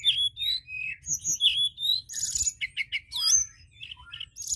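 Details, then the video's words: White-browed shortwing singing for a lure recording: warbled whistled phrases, then a busy stretch of high trills and rapid twittering notes. "Pancingan tledekan Gunung Gacor!"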